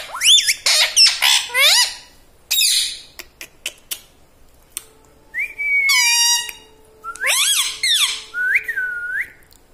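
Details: Pet parrot that speaks "mummy" and "radhe radhe": shrill whistled notes, sweeping up and down, come in several separate bursts, with a steady low tone at times and quiet gaps.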